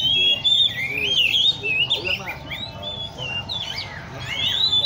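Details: At a bird cafe in Lê Thị Riêng park, caged Oriental magpie-robins sing dense, overlapping whistles and trills with quick up-and-down slurs. Murmured voices and background hum run throughout.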